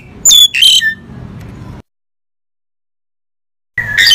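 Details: Crested myna giving two quick, sharp squawks with a swooping whistled edge, followed by silence and a brief rasping burst at the very end.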